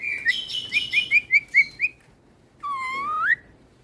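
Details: White starling, known as Javan pied starling, singing to rile other starlings: a run of eight short clear whistled notes, then a long rising drawn-out whistle with a strong ringing tone.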